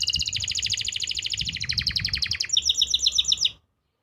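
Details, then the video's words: Canary from Pati, Central Java, singing a master song for silent or juvenile canaries: rapid pulsed trill of sharp notes, quickening into a harsher, choppier rattle before stopping. "masteran untuk memancing burung kenari yang macet bunyi.."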